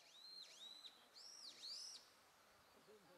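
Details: Several arching, strained calls from Japanese pygmy woodpecker young, each swooping down then up, loud and run together for two seconds before fading to quiet background hiss.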